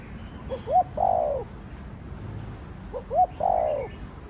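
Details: Spotted dove, a cu đất in the Thổ Đồng voice, repeating its cooing phrase twice about two and a half seconds apart: quick rising notes followed by a drawn-out falling coo.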